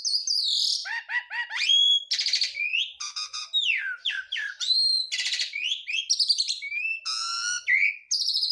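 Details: Javan pied starling, a Garuda-type bird in full mompa form, singing a dense, unbroken medley with other birds' calls mixed in: whistled slurs, rapid buzzy trills, harsh rasping bursts and repeated chirps, switching phrases every half second, clear and loud throughout.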